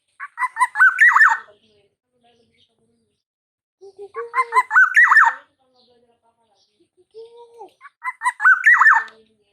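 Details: Young black-naped oriole, a Javan bird just past the speckled juvenile stage, practising its 'ploong' song: three short bursts of clipped, harmonic-rich notes sliding around mid pitch, each trailed by a lower drawn-out whistle, with pauses between.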